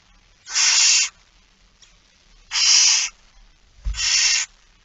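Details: Begging barn owl at an early-morning feeding, 06:57, 13 September 2019. Three long, noisy hissing screeches of about half a second, a second or more apart, with a faint low thump before the last.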